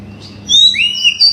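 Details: Oriental magpie-robin song played to provoke a silent bird into singing: a short burst of clear whistled notes, a high slur then a lower rising-falling whistle, over a faint steady low hum.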